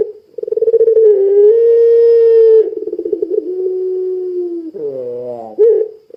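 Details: Long, steady coo of a puter pelung dove, played to make other doves start calling: a sustained low hum that dips slightly midway, then ends in a brief wavering, falling note and a short final coo.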